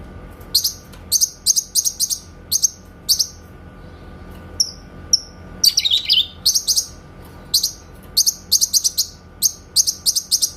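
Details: Grey-cheeked bulbul 'tembakan' (shot) song from a songbird training master: clusters of short, high, sharp chips, a brief pause with thin whistled notes, then a dense burst of rattling chips continuing to the end.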